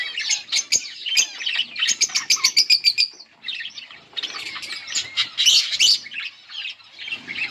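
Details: Two yellow budgerigars chirping busily, a fast run of rapid clicking notes around two seconds in, then bright warbled chatter and squeaky tweets in dense bursts.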